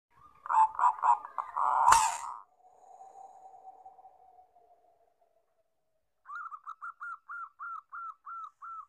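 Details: Zebra dove of a local Bangkok crossbred line, used as a lure. A short bubbling series of low cooing notes is followed by a click and a fading tail. Later comes a run of about ten brief, evenly spaced, slightly higher coos.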